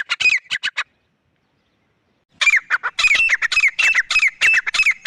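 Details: Male and female grey francolins, recorded while hunted: a short quick cluster of harsh notes, about one and a half seconds of silence, then a dense run of rapid, grating squawks.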